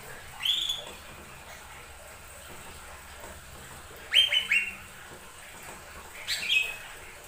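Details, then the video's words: Lesser green leafbird song used as a lure to get other birds singing: three short bursts of high, bright chirped notes about two seconds apart, with a faint background hiss between them. "Pancingan burung cucak ijo mini"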